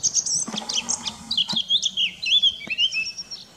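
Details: Eurasian blackcap singing a fast, varied warble of high twittering notes that run into clearer, fluting whistled phrases sliding downward, with a quiet low hum beneath.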